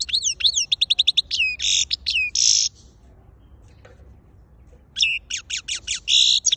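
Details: European goldfinch singing in lively bursts of bright, twittering notes, quick repeated chips and buzzy, nasal rattles, with a quiet pause before a second burst of rapid liquid twitters and a rasping buzz.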